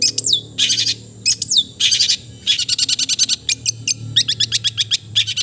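A Long-tailed Shrike sings loudly, mixing high downslurred whistles with bursts of rapid, scratchy chattering notes, with a faint low hum behind.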